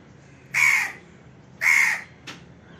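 An Indian crow gives two harsh, drawn-out caws about a second apart, followed by a short, fainter clipped note, over a quiet background.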